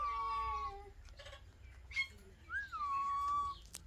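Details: Several pet Alexandrine parakeets together, heard as a long steady tone rich in overtones, then a brief scratchy sound and a whistle that rises before settling into a sustained level pitch.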